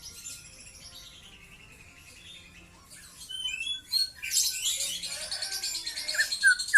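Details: Young white-rumped shama, starting quiet with soft high notes, then breaking into a louder dense stretch of scratchy twittering and a few bright, slurred whistles.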